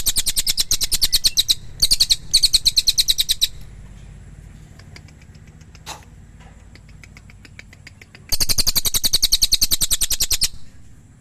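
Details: Pygmy tit (cililin) producing two bursts of rapid, high, harsh chattering, separated by a quiet pause of several seconds with a single faint tick.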